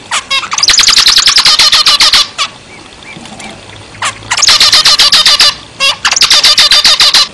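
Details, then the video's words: Singing zebra finch gives three bursts of quick, harsh, buzzy notes in fast succession, separated by a quiet pause of about two seconds with only a few scattered notes. "zebra finch gacor"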